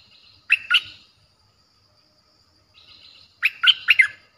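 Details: Streak-eared bulbul with a harsh, fierce voice, played as a lure for wild birds. A pair of sharp chirps is followed by a quiet gap, then a soft twitter and a cluster of four quick, ringing notes.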